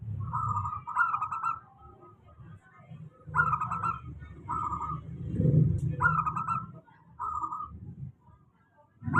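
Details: Steady lure song of a local zebra dove, played to get reluctant doves singing: rippling trilled coo phrases in groups of three, repeated about every three seconds, with low rumbling background noise.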